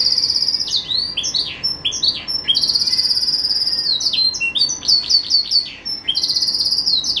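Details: Green canary kept as a pet bird, singing a melodious song: dense run of high whistled notes, rapid down-slurred phrases and sustained buzzy trills, continuous and loud throughout.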